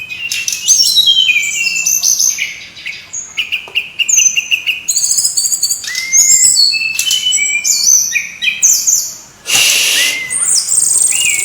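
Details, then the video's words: Lively brown-chested jungle flycatcher song meant to provoke other birds into singing: a long run of varied high whistles, downward slurs and chirps, broken by a loud rushing burst near the end. "suara ribut burung srdc /pancingan suara burung srdc biar gacorrrrr"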